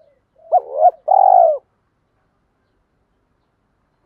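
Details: Male and female spotted doves used to prompt cage birds into cooing; one full low phrase of a quick rising note, a throaty wavering coo and a long drawn-out coo, with the next phrase just starting at the end.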